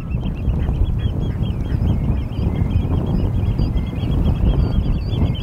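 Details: Golden plovers, European, calling at Norddorf on Amrum in the afternoon of 8 April 2022: a dense chorus of short, wavering whistles, many birds overlapping almost continuously, under heavy low wind noise.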